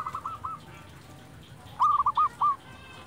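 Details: Local silver zebra dove (perkutut) over background hiss: faint rapid coos, a pause, then four loud, rounded, rolling coos in quick succession.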